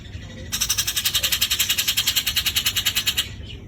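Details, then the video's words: Grey-cheeked bulbul, called cucak jenggot jawa, giving a rough, harsh trill of rapid buzzy pulses, about eight per second, sustained for nearly three seconds against a low background rumble. "besetan kasar cucak jenggot jawa"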